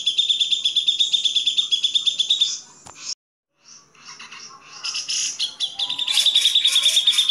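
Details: Grey-cheeked bulbul on a recording made for teaching other songbirds: quick rattling series of high, clipped notes, a sudden pause of silence, then varied chattering that builds back into the same rapid, steady pulsing run.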